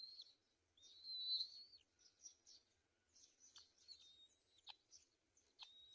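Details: Black-winged kite feeding chicks at the nest: a thin, high whistle held for nearly a second, then softer wheezy notes and a few sharp chips, with a quiet, still background.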